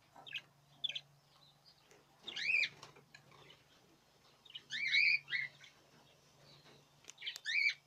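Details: Budgerigar chirps from the 2017 breeding season, several wavering calls spread over eight seconds, a steady low hum in the background and light rustling.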